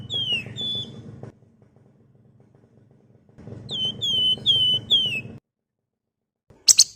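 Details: Wergan jawa, or flamboyan, singing nonstop in the ngebren style as a lure for flock birds: series of clear, high, slurred whistles, each dropping in pitch, in two bouts with a brief sharp chirp at the end; low hum throughout.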